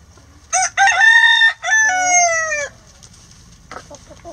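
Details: Rhode Island Red rooster in a coop with egg-eating hens gives a full crow: short sharp first note, a held second, then a long sustained tone sinking at the end, followed by soft hen clucks.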